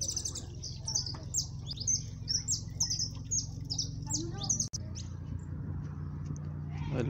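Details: Jilguero amarillo (siskin) delivering 'máquina' style song at close range in cold weather: rapid, high, sliding whistled notes strung into a continuous twitter for about five seconds, then fading, with a steady low hum and a sharp click.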